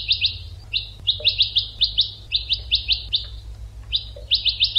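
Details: Rhythmic goldfinch training song: a steady chain of bright, buzzy twittered notes repeated several times a second, briefly pausing before resuming, with a soft low hum.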